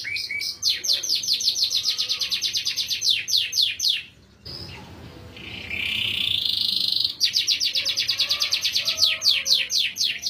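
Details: Canary song in melodious cengkok style: rapid rolls of high sweeping notes, a pause, then a long rising whistle before the fast trills resume.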